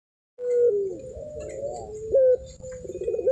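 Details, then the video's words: Zebra dove of the puter pelung type in full cooing song, a drawn-out low coo followed by a sliding, hooked note and a short clipped coo, with faint background hiss. "puter pelung gacor"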